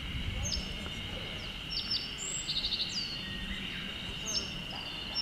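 Japanese yellow bunting giving thin, high ticking call notes and a brief quick trill, over a steady insect drone and low background rumble.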